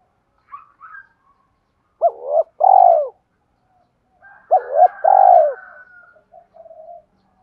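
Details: Spotted dove calling to rouse decoy birds in training. Two full phrases arrive about 2.5 seconds apart, each a brief wobbling double note leading into a longer descending coo. Faint higher chirps sound before and between the phrases.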